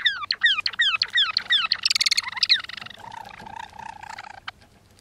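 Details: Captive Java sparrow pair in courtship: the male, perched above the female on the cage floor, sings a fast run of clicking, downslurred notes, bell-like chimes and a long drawn-out whine, with both birds making bill clicks.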